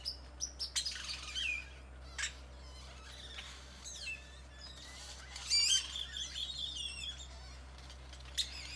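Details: Many birds singing in a tropical tree in Nayarit, Mexico: a busy mix of high chirps, squeaky whistles, rising and falling slurred notes and short squawks, several voices overlapping, with a louder burst of calls near the end.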